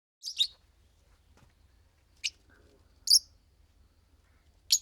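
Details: Pair of green Fischer's lovebirds kept as pets, singing and chirping: short, harsh, high chirps in scattered bursts, mostly doubled, with long quiet gaps between them.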